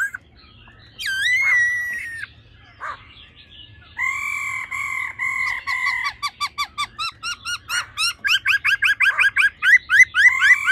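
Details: Female laughingthrush giving 'ro ro' calls meant to quickly rouse males: a nasal whining note with an upward hook, sustained buzzy harmonic notes, then an accelerating series of sharp rising chips.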